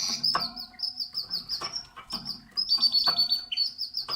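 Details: Canary singing at its nest: a continuous high trilled warble of rapid repeated notes, with a long steady whistled stretch near the end and a few nasal notes, over soft clicks and rustling.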